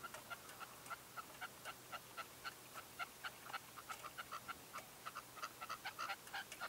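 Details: Red-legged partridge decoy bird calling at a dawn hunting stand in 2023: rapid, soft clicking notes of mid pitch, about four a second, unevenly spaced and fairly faint against a quiet background.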